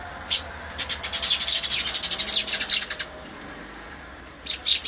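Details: Feeding scene at a bird feeder, 28 May 2013: a Eurasian tree sparrow parent, perhaps very old given its large black throat patch, with chicks; a rapid run of roughly fifteen high chirps, then two isolated chirps, recorded on an Everio camcorder.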